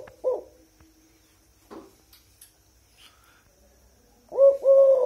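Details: Tame Eurasian collared dove, recorded very close at about 8 pm, calls on into the night. It gives soft, low coos, one near the start and a loud double coo at the end, with a man's voice and faint clicks between.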